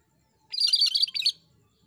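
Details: Cream-striped bulbul (Pycnonotus leucogrammicus, cucak Kerinci), a singing bird used as a tutor recording, gives a brief, bright burst of rapid, chattering notes, high and busy, lasting under a second against a quiet background.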